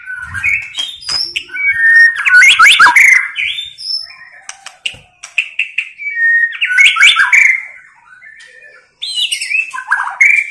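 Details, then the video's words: Tạch líu female call of the white-rumped shama, said to stir males into fighting: bursts of mixed whistles and rasping chatter separated by short pauses, the last burst after a silent gap. "Chòe lửa tạch líu giọng mái kích lửa"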